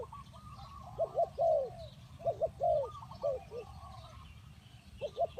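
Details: Spotted dove, known locally as tekukur, used to lure wild doves: rounded, hollow coos grouped in quick pairs followed by a longer note, with softer doves cooing farther off.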